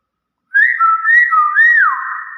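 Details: Common hill myna mimicking speech and talking nonstop: a clear whistled line that starts after a short pause, rising, wavering and bending down in smooth tonal glides over two seconds.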